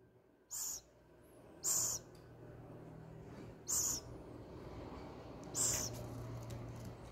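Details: Two owl chicks hand-fed crickets on their ninth day of hand-rearing, 21 August 2020; four short, harsh, hissing screeches spaced one to two seconds apart, over a steady low hum.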